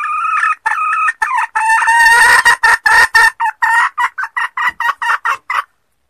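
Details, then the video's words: Hen red junglefowl from Sumatra calling as a lure: loud nasal clucks, some drawn out early on, then a quicker run of short clipped notes that stops suddenly. "SUARA PEMIKAT TERBAIK AYAM HUTAN BETINA SUMATERA"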